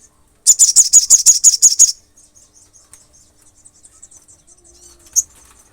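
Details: Singing olive-backed sunbird used to stir up rival sunbirds: a burst of roughly eight rapid, shrill, high-pitched notes in quick succession, then near silence with faint high twitters and one last sharp chip.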